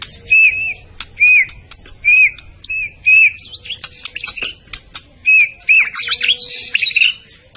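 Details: White-rumped shama of the Medan type singing: a clear upslurred whistle repeated roughly once a second, broken by rapid scratchy twittering, then a rich tumbling phrase of mixed whistles and chatter near the end.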